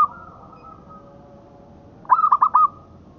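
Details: Local zebra dove song recorded as a master for tutoring birds: a faint sustained tone, then a quick burst of four bubbling, rolling coo notes with slight upward inflections, ending in a soft trailing hum.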